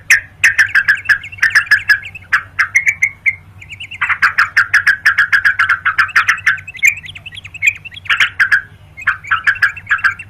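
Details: Yellow-vented bulbul in rapid rolling song, used for luring and to dare rivals to fight; long dense runs of warbled bubbly notes with brief breaks, over a steady low hum.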